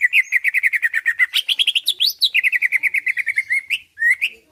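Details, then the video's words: Caged greater green leafbird singing loudly to provoke a reply and fighting: fast, steady series of rich chirped notes near one pitch, briefly rising into higher sweeping whistles midway before settling back into the rapid chatter. "Cucak ijo lain liat dan dengar kicauannya bakal nyaut+gacor+tarung"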